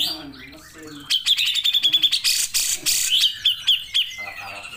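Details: Grey-cheeked bulbul in full 'gacor' song: quiet low chatter, then a dense burst of rapid high trilled notes, harsh rasps, and a series of short downslurred whistles at a steady quick pace.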